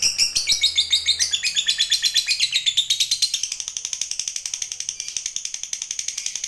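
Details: Fighter lovebird's long ngekek trill meant to goad other lovebirds into song, a fast unbroken chatter of high buzzy notes that starts ragged and settles into steady rapid pulses.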